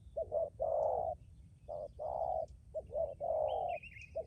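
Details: Spotted dove used as a decoy bird, cooing steadily: short double notes followed by long drawn coos near the same low pitch, repeated in pairs, with a faint higher chirp from another bird.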